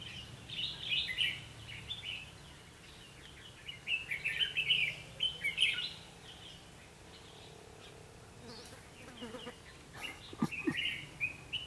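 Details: Red-whiskered bulbul used as a decoy during trapping, singing to provoke fights, recorded 21 October 2016; short bright warbled phrases in bursts, several in the first six seconds, a quiet gap, then more phrases near the end, with faint background hum.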